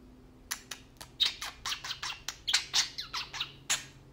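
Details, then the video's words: Tame pet parakeets talking and playing: a fast run of short, scratchy, clicking chatter notes, about four each second, uneven in loudness, with a faint steady hum beneath. "Tame parakeets talking and playing"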